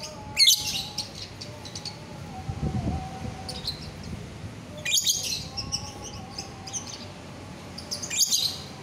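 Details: On 24 November 2021 a biola euwing green lovebird gives three separated bursts of high, grating squawks and chips, with a thin steady tone and low hum underneath.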